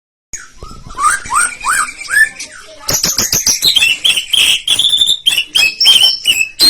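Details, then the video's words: White-rumped shama in full song, used to provoke rival birds: loud rising whistled notes repeated, then a fast rough rolling series of sharp high chattering and whistled phrases. "Pancingan Murai Batu Gacor Tembakan Ngerol Kasar Bikin Lawan Langsung Emosi"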